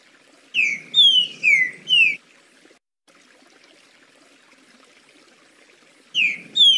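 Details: Green-winged saltator singing in the smooth 'liso' style: a quick phrase of four clear, slurred whistles, each sliding downward, then a long quiet gap before the next phrase begins; faint low rumble under the notes.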